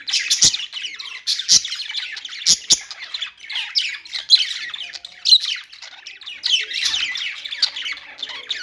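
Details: Busy budgie chatter: squawky chirps and rasping notes run almost without pause, with a few sharp clicks early on.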